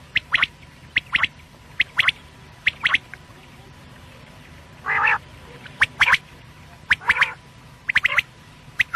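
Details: Quail call for night: crisp double and triple notes come in bursts about every second, with a pause, then a nasal buzzy call and more paired notes.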